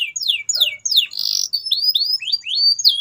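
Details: Canary song aimed at getting silent birds singing again: steep descending whistled sweeps, a short buzzy burst, then a series of quick rising slurred notes.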